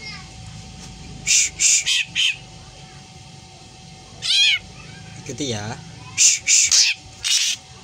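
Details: Black drongo copying a cat's meow among strange cries: quick runs of three or four harsh rasping bursts, with two drawn-out, arching meow-like calls between them.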